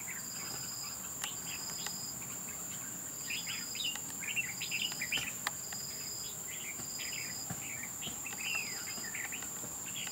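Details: Wild Red-whiskered bulbul fighting at a bird trap: short warbled, chirpy notes scattered throughout, some rising and falling, over a steady high insect whine and a regularly pulsing insect buzz.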